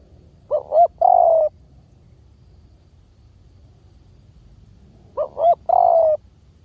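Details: Spotted dove giving a lure-style call, 'V18' type, used as a decoy sound: two cooing phrases about five seconds apart, each a quick double hoot followed by a longer, slightly falling coo, over quiet low background noise.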